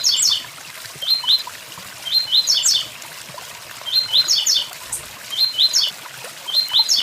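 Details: Repeated short, high, buzzy song bursts of a blue-black grassquit, the 'tui tui zel zel' phrase, given five times at regular intervals over the steady noise of a waterfall.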